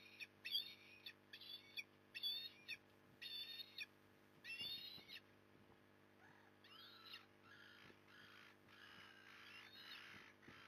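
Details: Osprey at a Port Lincoln, Australia nest on 15 September 2020, afternoon fish delivery: a run of short whistled squeals about every second, then softer, overlapping, rasping calls blurring together, with a low background hum.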